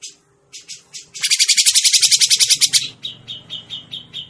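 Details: Trapping-lure recording of a grey-cheeked bulbul: short rasps lead into a loud, rapid burst of harsh pulses for about a second and a half, followed by softer repeated chip notes over low rumbling background.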